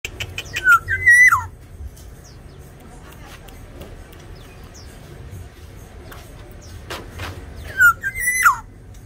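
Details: Tame Sumbawa Black-naped Oriole singing actively: two loud fluted whistled phrases, each a rising-falling slur then a level note dropping away, about seven seconds apart, over faint chirps of other small birds and a low hum.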